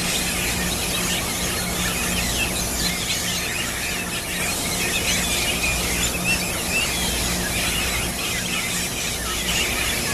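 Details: In Guamito, Barinas state, Venezuela, 5 August 2013, yellow-rumped caciques give a busy stream of high squealing and chattering notes, several birds calling at once, with a constant low droning hum underneath.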